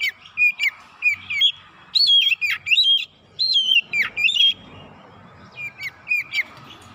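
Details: Oriental magpie-robin lure song, fast and persistent, to provoke other birds: short chattering notes, then loud swooping whistled phrases, fading into a few soft notes over faint background hiss.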